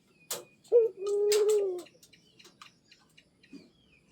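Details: A pet zebra dove, urged to keep calling, gives one low coo: a short clipped note then a long wavering purr lasting about a second, amid a few sharp clicks before quiet.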